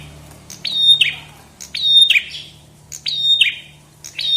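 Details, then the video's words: Chestnut-headed tesia, a 2022 recording made for training songbirds: high, thin phrases repeated about every 1.2 seconds, each a sharp click followed by a sustained high whistle and a dropping buzzy trill. "Kicau Burung prenjak kepala merah"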